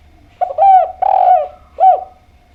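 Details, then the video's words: Lure song of a spotted dove meant to make listening doves answer. A brief lead-in note is followed by a long, drawn-out coo and a final arched coo, all soft and hollow, with little else heard. "Enak Banget Suara Derkuku Gacor Ini, Putar Saja Langsung Nyaut"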